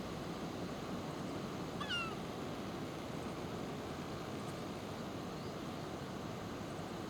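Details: A male black kite on the Oita River, Japan, at 7:41 on a February morning gives a single thin, descending whistled cry of about half a second over steady rushing wind or water noise, while a gull chases it.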